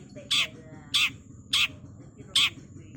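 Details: Long-tailed shrike, fast-style masteran: four loud, grating, scratchy notes spaced roughly half a second apart, each short and broadband. A low droning hum underlies them throughout.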